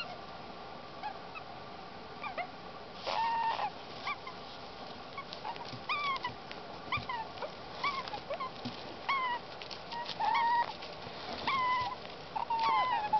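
Young Indian ringneck parakeets give nasal, kitten-like mewing calls, repeated irregularly with short clicks between.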